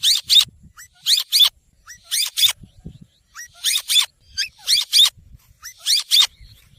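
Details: Green ringneck parrot calling: harsh, grating screech notes in quick doublets, repeated roughly every second for several seconds, a short curved squeak before some doublets.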